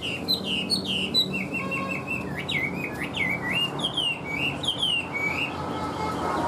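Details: Caged Chinese hwamei singing a fast sequence of bright whistled notes, each slurred and dropping, interspersed with short trills, backed by faint hum.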